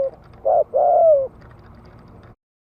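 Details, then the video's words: Spotted dove cooing to excite and lure wild males: two short low hooting coos, the second longer and sliding downward, followed by a faint mechanical rattle and quiet background. "Tiếng chim cu gáy Thúc - Gù kích bổi cực sung - Mở lên kích bổi nghe nhanh nổi."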